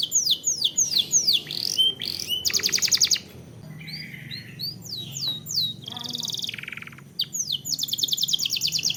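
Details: Canary lure song for prompting birds to sing: fast slurred whistles, a loud rapid trill, soft chirps and a low buzz, then a fresh run of sweeping notes into another dense rattling roll.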